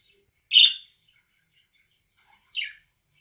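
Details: A relaxed pet budgerigar gives two short, bright chirping calls about two seconds apart.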